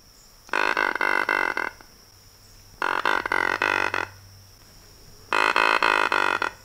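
Anhinga giving three harsh, rattling bursts, each a quick run of about five grating clicks, spaced roughly two seconds apart over a faint steady hum.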